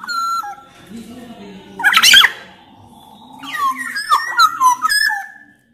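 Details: Sumbawa black-naped oriole, with Javan male and female orioles, singing to make other orioles sing: an opening whistle, a harsh noisy burst, then a run of fluty, swooping whistles with clicks.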